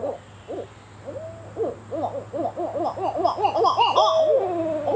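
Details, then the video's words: Barred owl juveniles trying out their calls: sparse arched hoots build into a rapid run of short, bouncing hoots, about three per second, ending in a drawn-out, sliding note. "Juvenile Barred Owls learning to call."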